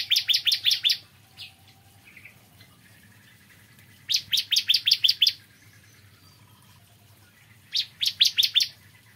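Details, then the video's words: Morning singing from a bar-winged prinia: three bursts of six or seven quick, high, piercing notes separated by pauses of a few seconds, with soft chirps and a low hum in between. "Kicauan Ciblek Kristal Dipagi Hari"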